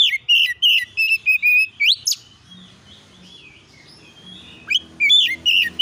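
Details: Oriental magpie-robin song used as a lure to provoke replies: a series of loud clear whistled notes, some rising sharply, repeated roughly three times a second, a pause with faint low hum, then more whistles.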